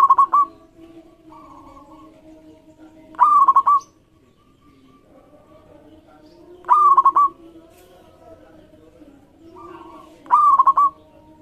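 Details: Song of a local zebra dove meant to get other birds singing: four phrases, each a sharp rising note followed by three or four fast rolling coos, spaced roughly three to four seconds apart, with quieter doves answering.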